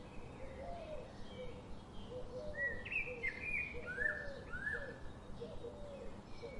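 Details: Birds calling outdoors: clear whistled notes near the middle of the range, some sliding down, over softer, lower cooing-like phrases repeated about every second, with steady background noise.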